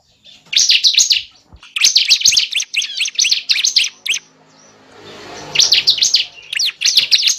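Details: Bar-winged prinia calling, recorded for luring birds into traps: dense bursts of high, rapid chirping notes, a pause filled with soft hiss, then another chirp run.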